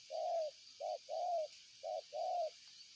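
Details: Low, mellow coos from a spotted dove, a short note followed by a longer drawn-out one, repeated twice, with a high insect hum behind.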